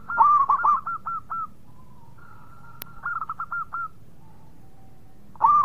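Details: Local zebra dove song in three bursts of rapid, hooked, mellow coos, with quiet held tones between phrases and a single sharp click partway through.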